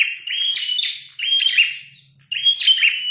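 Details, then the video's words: Fighting red-headed prinia gives three energetic phrases, each a high piercing whistle breaking into scratchy chatter, separated by short pauses. "Prenjak tarung gacor | prenjak kepala merah"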